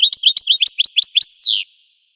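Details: An American goldfinch sings a quick run of about nine high, upslurred twittering notes that ends in one longer, down-sweeping whistle. The background is clean and quiet.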